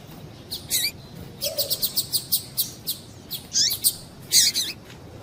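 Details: Female double-collared seedeater, whose calls are used to get males singing; a brisk, evenly paced series of thin, ticking chirps followed by fuller doubled notes, all very high-pitched.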